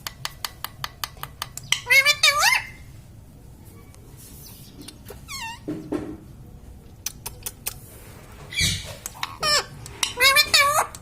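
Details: Talking pet parrot, said to say mummy and papa: scattered short bursts of warbling, squawky syllables between long quiet stretches filled with regular ticking clicks and faint background sounds.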